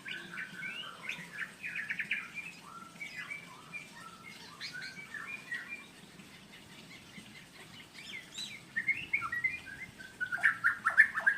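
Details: Male White-rumped Shama of the blorok type, from Indonesia, courting a female: a varied run of short whistled and chattering phrases, rising and falling, some buzzy notes, growing louder near the end over a low background hum.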